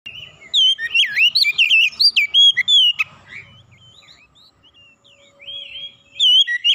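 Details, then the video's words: Oriental magpie-robin singing as a fast, heated lure to provoke another magpie-robin into singing: bursts of loud, varied whistled notes and quick slurred trills, a pause near three seconds, then the rich phrases resume. "PANCINGAN KACER CEPAT panas GACOR naik emosi bongkar isian"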